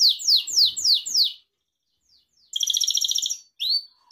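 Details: Gloster canary, kept as a pet, gives five loud sweeping downslurred whistles, a pause, then a fast buzzy trill and a final upslurred note.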